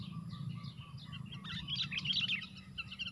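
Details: Sooty-headed bulbuls fighting four against one at a bird-catching lure: chattering chirps build to a louder cluster of harsh notes midway, over a steady low hum.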